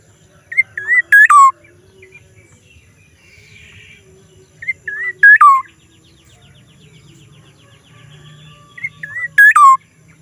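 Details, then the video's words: Black-naped oriole calling in a strange way three times, about every four seconds: soft whistles leading into a loud harsh note and a falling whistle, with quieter birds chirping between. "kepodang suara Aneh"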